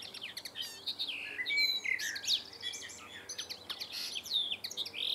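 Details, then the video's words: Male common linnet singing in town in July, perched on a wire fence swaying slightly under its weight or a light wind; a fast, varied twittering of short chirps, buzzy trills and clear whistled notes, continuous throughout. "CHANT de LINOTTE MELODIEUSE - Singing Linnet"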